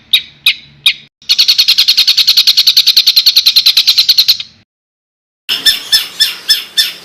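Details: Competition-training master of a songbird's harsh fill: three sharp chips, then a long rapid rattle of bright repeated notes for about three seconds, silence, and a few raspy harsh notes.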